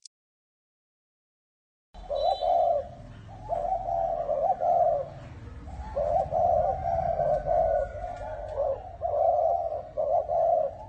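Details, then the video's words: Two seconds of silence, then a spotted dove in 'bronze bell' voice coos almost without pause to lure wild doves and arouse males and females: low throaty coo phrases run together over rumbling background noise. "Tiếng chim cu gáy chuông đồng gáy gù gọi bổi kích bổi kích trống mái lên nhanh"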